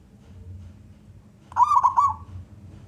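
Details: Male local wild zebra dove, used to draw other doves into singing, gives a single brief rolling phrase of bubbly cooed notes after a quiet stretch with low hum.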